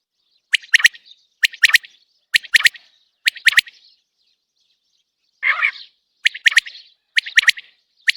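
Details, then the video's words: An uncaged common quail repeats its sharp three-note 'whit wit-wit' call about once a second, seven phrases in all, with one brief hoarse buzzy note midway. The background is quiet. "Batair Ki Awaz | 3 best single Batair Ki Awaz pinjre se bahar | Common Quail Calling without cage"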